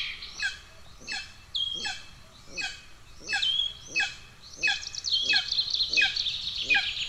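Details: Golden eagle nestlings begging from hunger in Estonia, 2 June 2024, amid sibling aggression. Short, downward-slurred calls come about every seven-tenths of a second, steady and insistent, over a busy chorus of small birds.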